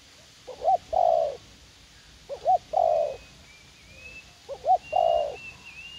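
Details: Spotted dove set out as a garden decoy in U Minh, a fight-eager young wild bird, giving three low phrases of quick double hiccup notes and a longer rolling coo; a thin high whistle from another bird drifts behind.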